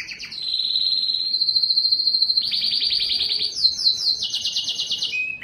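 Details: Yellow canary song of sustained high trills: a steady level roll, then a rapidly pulsed tour, stepping up to a higher rattling phrase before a brief falling note.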